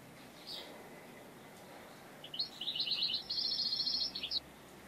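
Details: European goldfinch singing during trapping with a net trap: a single faint note, then a two-second burst of fast, liquid, twittering notes with buzzy touches, over steady low background noise.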